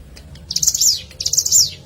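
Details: Hill prinia used for luring: two rapid, high-pitched stuttering phrases, each ending in a quick falling sweep, about one per second.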